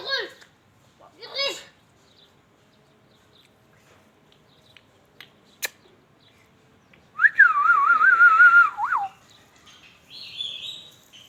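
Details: Ringneck parrot talking: two short harmonic squawks open, then a long quiet pause with a single click, followed by a sustained, gently wavering whistle and a brief buzzy note at the end.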